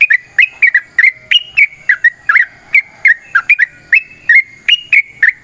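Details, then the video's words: Yellow-vented bulbul's long fighting song, sung to goad other birds into replying: liquid, bubbly whistled notes, some rising and some falling, repeated several times a second with crisp clicks between them. "TRUCUKAN GACOR TARUNG ROPEL PANJANG"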